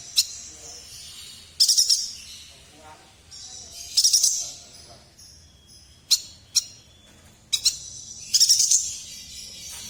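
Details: Chestnut-crested yuhina from Kalimantan singing: repeated high chattering phrases about every two and a half seconds, mixed with sharp brief clicks and thin whistled notes, in a quiet background.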